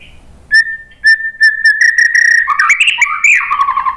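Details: White-rumped shama song opening with three clear flat whistled notes spaced half a second apart, then breaking into a rich, rapid warbling flourish with rising and falling whistles.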